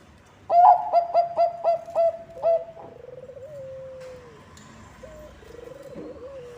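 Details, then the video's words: Song of a Bangkok zebra dove used as a lure for its kind: seven loud, evenly spaced clipped coos in quick succession, followed by softer trailing wavering notes that slowly fade. "Bunyi Perkutut Bangkok ASLI Ampuh untuk Pancingan semua perkutut"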